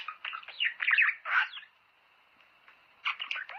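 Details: Budgerigar warbling to encourage mating: busy burst of buzzy, squeaky chatter and grating notes, a quiet gap, then another short flurry of squeaks.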